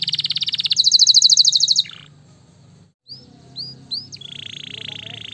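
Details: Gloster canary, a fighter bird, singing fast dense trills in a tight rapid buzz, then a pause, a few short upslurred whistles and a steady high trill; low background hum throughout.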